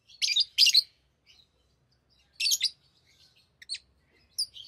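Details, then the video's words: Tame pet lovebirds, playing with rings, give sharp, harsh chirps in short bursts of two to four notes, with quiet gaps between and a few thin, high squeaks near the end. "Love birds Talking | Singing Sounds"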